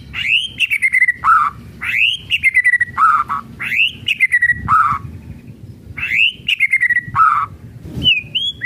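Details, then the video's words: White-rumped shama (murai batu) in kretekan style, meant to provoke other shamas into singing: a loud whistle slurring up then down, followed by a low fluty note. The phrase repeats four times with short chattering notes between, and a quieter twitter closes it. "KRETEKAN MURAI BATU MEMANCING EMOSI PALING TOP"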